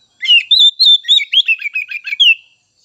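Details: Rich, fast Oriental magpie-robin song used as a lure for untrained and juvenile birds: a string of varied clear whistles and short twittering notes, ending on one drawn-out falling whistle.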